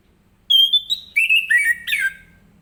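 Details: Morning song in 'ngeplong' style from an orange-headed thrush, used to coax other birds to sing: a steady high whistle followed by three lower swooping notes, each stepping down in pitch.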